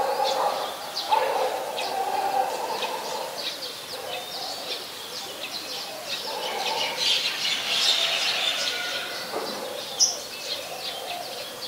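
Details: Olive-backed sunbird recorded at a home in Thailand on 23 March 2021 around 5:30 PM: high, thin chirping notes in quick irregular runs, over steady background noise and lower murmuring tones.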